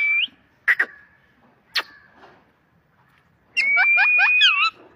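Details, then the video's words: Parrot making a short whistled note, two sharp clicks and a soft rasp, then after a pause a sustained whistle overlaid with rapid chattering squawks. "Parrot talking sound"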